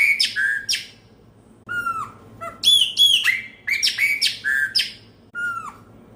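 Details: Chopi blackbird in full song: repeated loud, clear whistled phrases with falling slurs and ringing overtones, delivered in rapid bursts separated by short pauses.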